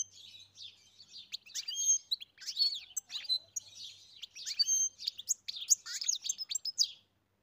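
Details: European goldfinch on a farm singing a lively, tinkling medley of chirps, short trills and nasal buzzes, repeated in rapid bursts for about seven seconds, ending in silence.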